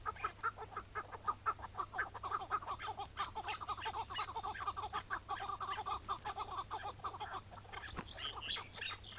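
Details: Chukar partridge recorded one May 2017 morning while being trapped; it was afterwards set free. Dense run of rapid chuck-like notes, rough and closely packed, easing slightly toward the end.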